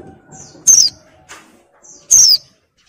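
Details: Female oriental white-eye in breeding condition calling to lure a male: two thin, high, downslurred notes, sharp and brief, about a second and a half apart, over quiet background.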